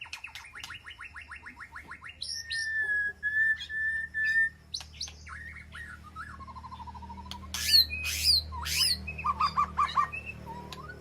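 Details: Aviary-kept White-rumped shama calling to its flock: a rapid trill of repeated notes, a long steady whistle, sharp clicks, a low rattling series, then high sweeping notes and a quick burst of short notes.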